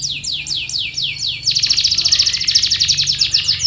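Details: A canary's song used to lure silent canaries into singing: five looping descending whistles, then a fast, loud, pulsing trill held to the end.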